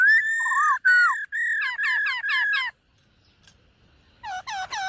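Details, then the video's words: White-cheeked laughingthrush singing as part of morning voice training, with dancing: level whistles and a low wavering note, four clipped slurred phrases, silence, then three more hooked whistles. "Khướu BẠC MÁ hót MÚA luyện giọng . Khướu hót sáng luyện giọng kích bổi"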